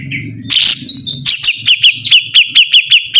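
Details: Sibuntung bird singing vigorously: a harsh opening note, then a steady series of bright, clipped chirps about five per second over a low mechanical hum.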